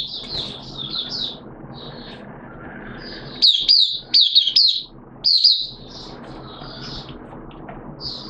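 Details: Oriental white-eye in a cage, recorded September 2022 on the second day of a monthly deworm treatment: scattered high twittering phrases, a cluster of loud sharp chirps midway, quiet gaps with low background noise.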